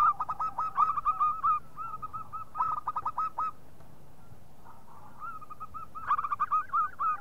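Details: Perkutut, the local zebra dove, used as a lure call: rapid clusters of ringing staccato coos, a short lull, then more evenly spaced notes building into another quick flurry.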